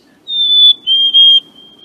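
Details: Two black-capped chickadees (Poecile atricapillus), one distant, singing the clear whistled fee-bee song, a high pure note then a slightly lower, longer one; possibly a duet or competing males, the song attracting a mate or declaring territory.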